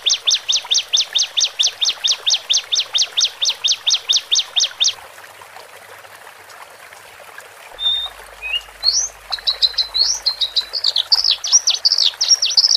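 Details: A male and a female Horsfield's bush lark, played to help a newly caged bird settle, give a rapid run of about twenty high, evenly spaced chirps. After a pause comes a jumbled, scratchy warble of high notes.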